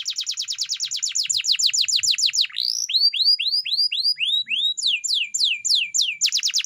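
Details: Canary training song: rapid descending rolling trill, then a run of evenly spaced rising slurred whistles, ending with sharp falling notes.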